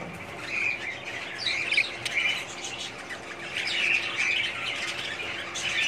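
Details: Colony-bred budgerigars giving warbling chirps and short squawks over a softer background of many birds twittering, louder bursts coming every couple of seconds.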